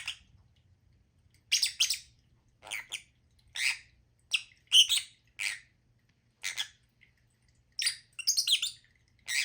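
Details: Pet lovebirds giving a steady series of short, harsh squawks, roughly one every second, some doubled into quick pairs, with silence between and a faint low hum early on.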